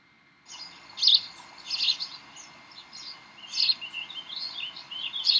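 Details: Bald eagles at the Decorah nest, 18 May 2012, 7:45 pm, during play: half a second of quiet, then shrill twittering chirps in uneven groups, with the loudest notes near the start and the end.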